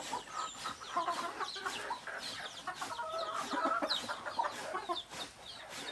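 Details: Native chickens, roosters and hens, clucking and cackling steadily in short uneven notes, with high bird chirps in the background.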